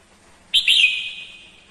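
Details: Red-whiskered bulbul female decoy singing to stimulate males: a single sudden, clear whistled phrase with a rich warbling start that slowly fades away.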